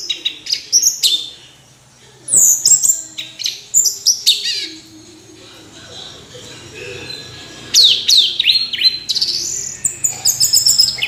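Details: Orange-headed thrush in nonstop song: rapid runs of high, sharp whistles and twittering notes delivered in dense bursts, with brief quieter gaps between phrases and no other clear sounds.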